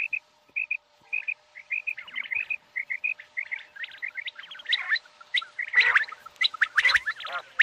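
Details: Common quail calls begin as neat paired and tripled whistled pips, then grow into denser chattering chirps with sharp clicks toward the end.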